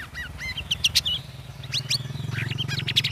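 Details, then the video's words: Caged sooty-headed bulbul after three weeks of communal hanging care, singing in ngeriwik ngeplong style: quick upslurred and bent whistled notes in scattered bursts over a steady low hum. "CUCAK RAWIS NGERIWIK NGEPLONG"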